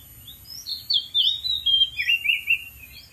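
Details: Wild Oriental magpie-robin singing from atop a dead tree: a run of varied whistled and slurred phrases, sliding notes and short warbles at high pitch, delivered continuously with steady faint background hiss.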